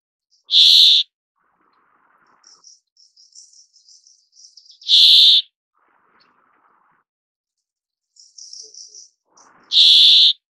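A brambling gives a harsh, nasal, drawn-out 'dzweee' about every four to five seconds. Faint high chirps from other small birds come between the calls.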